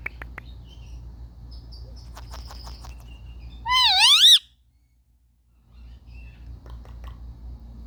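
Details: Indian ringneck parakeets playing indoors, filmed on a phone; scattered faint chirps and clicks, then one loud, harsh, wavering squawk lasting under a second, followed by a brief silence and more soft clicks.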